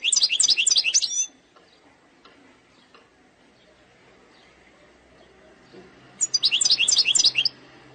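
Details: Algerian European goldfinch singing in the eastern-sector style, described as error-free: a fast, high, twittering phrase of tinkling notes lasting about a second, a quiet pause, then a second similar jangling burst near the end.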